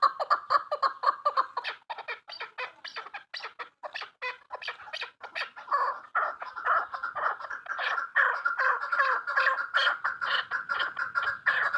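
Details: Female chukar partridge calling in a long rapid series of sharp clucks and chuckles, starting in spaced bursts then merging into continuous harsh chatter toward the end.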